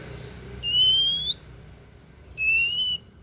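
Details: Oriental magpie-robin, called kacer daput, gives two long pure whistles, each gliding gently upward and separated by about a second of quiet, against a soft low background hum.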